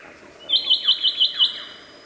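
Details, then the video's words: A lyrebird gives six quick, high, bright chirps in about a second, evenly spaced, then falls quiet. "Bird Sounds From The Lyre Bird"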